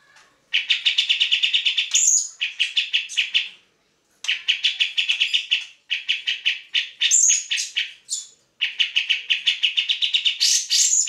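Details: Grey-cheeked bulbul (Alophoixus bres) in full song, used as tutor song for training other songbirds: fast, buzzy chattering runs of two to three seconds, split by brief pauses and topped by occasional sharp, high whistled notes.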